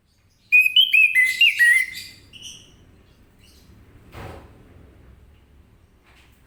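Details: Orange-headed thrush giving its 'ngeplong' song in the morning to draw replies from other birds: a rapid string of clear whistles and twittering notes lasting about one and a half seconds, followed by faint background rumble and a soft thump.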